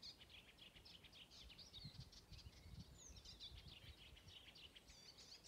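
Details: Icterine warbler singing at Dyngelandsdalen, Bergen, Norway, in June 2020: a fast, continuous jumble of chattering, scratchy notes mixed with a few fluty slurred whistles, over a low rumble of wind or distant traffic.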